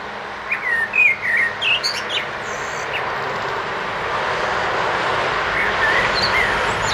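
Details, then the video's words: Common blackbird singing in a front garden by the street, 29 March, its song dominating the traffic: a low, fluty warbled phrase with slurred notes and a thin, squeaky twitter at the end, over a steady rush of passing traffic. "Amsel singt"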